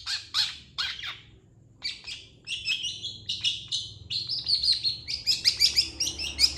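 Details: A long-tailed shrike's energetic master song, used to train other birds. Scattered harsh chirps build into a fast, continuous run of buzzy notes mixed with thin high whistles toward the end.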